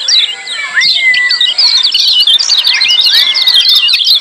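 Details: Noisy 'ciak' calling of lemon-bellied white-eyes: crowded, rapid high chirps that build toward the middle, mixed with smooth upward-curving whistles repeated every second or so.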